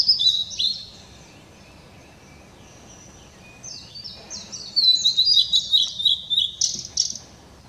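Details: Song of a blue-and-white flycatcher, 7 May 2016: an opening high warbled phrase, a long pause with only a faint thin note, then a fuller run of quick, sweet whistles with sharp, rhythmic accents near the end.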